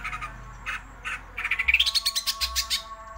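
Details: Greater green leafbird pouring out a frenzied 'ngerol' rolling song: a few harsh notes, then a fast even trill of bright chips, about four per second.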